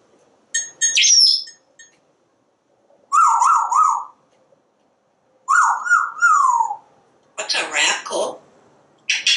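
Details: Parrot talking nonstop as it watches squirrels and birds from its screened porch: repeated wavering word-like phrases, a burst of harsh chatter and a clipped final syllable.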